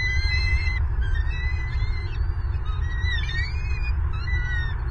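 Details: Bald eagles at an active nest in Southwest Florida on 25 February 2023, filmed by a nest camera as an adult feeds a chick and suddenly turns angry on both young; thin, high, wavering chirps and whistles repeat over a steady low rumble.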